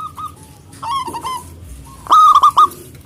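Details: Excited local zebra dove with a powerful voice calling out to rivals: soft coos and a falling trill, then a loud stuttering burst of three or four clipped, ringing notes.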